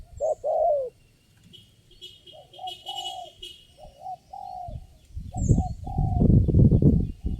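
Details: A spotted dove reacting to lure birds, the only one calling at the trapping site: a few husky downslurred coos early and midway, then a loud stretch of low rustling and knocking noise covering the final calls.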